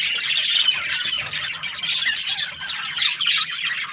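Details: Busy budgerigar chatter with sharp squeaky chirps and trilled warbles rising and falling in loudness every second or so.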